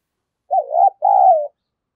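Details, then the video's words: Spotted dove lure bird in the 'đồng pha' voice style, calling to spur fighting; one deep phrase, an undulating coo then a sustained level hoot tapering off, in quiet surroundings. "Chim Cu Mồi Giọng Đồng Pha Thúc Đấu, cu gay kich boi nhanh noi"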